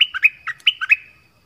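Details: Orange-headed thrush, southern type, singing to lure wild birds and train young birds: a quick phrase of about seven bright notes flicking between higher and lower pitches.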